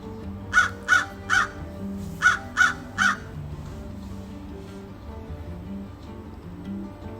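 A crow gives six harsh, hoarse caws in two quick sets of three, then falls silent, with soft music playing underneath.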